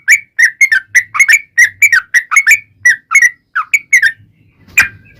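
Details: Yellow-vented bulbul lure song meant to get bulbuls calling back: lively repeated short liquid whistles, slurred up and down, delivered in quick bursts, thinning out before a final sharp note and faint background hum.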